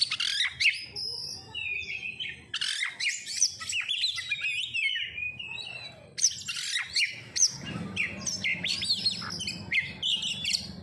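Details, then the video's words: Oriental magpie-robin, called kacer, giving pancingan lure song: long, varied outpouring of sharp whistles, chips and scratchy chatter in quick bursts, with a low hum growing toward the end. "Pancingan Kacer langsung auto gacorr"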